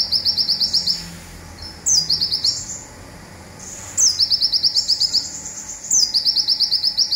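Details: Local olive-backed sunbird repeating its rapid "zipper" song, used as training material for songbirds. Bursts of very fast, high, machine-like chips, each introduced by a steep falling whistle, recur roughly every two seconds.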